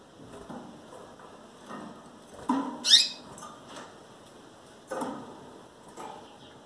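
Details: A female double-collared seedeater, nearly ready for breeding and calling a lot, gives a single thin, high peep among soft scattered knocks and rustles.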